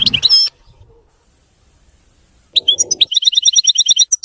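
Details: European goldfinch (maqnin) delivering a clean, faultless song: a brief twittering burst, a pause, then a fast run of evenly repeated high, liquid chirps about three per second.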